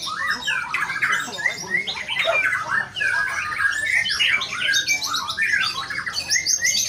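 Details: White-rumped shama performing with an energetic song: dense bursts of varied whistles, chirps and rapid trills packed tightly together, some phrases sliding up and down, with a busy background of overlapping bird sounds.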